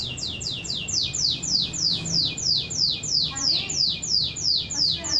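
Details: Canary singing in a style imitating a trucuk (bulbul): a steady run of about seventeen sharp, high, downward-sweeping whistled notes, roughly three per second, over constant background hiss.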